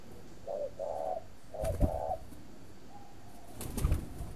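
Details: Caged spotted dove during breeding at a Vietnamese farm in Ba Vì, Hanoi, giving two paired coos, short then long, followed by a faint coo and handling noises.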